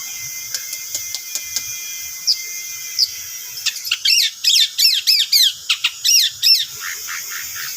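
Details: Pancingan lure song of a long-tailed shrike: faint scattered ticks at first, then a loud run of harsh, buzzy, downward-swept notes repeated rapidly about three times a second, with a faint high steady tone behind.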